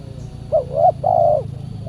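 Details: Cooing spotted dove at a decoy trapping outing on a Saturday, where a very aggressive wild bird answers; one phrase of three mellow notes, short-short-long, then a faint extra coo, with a low rumble throughout.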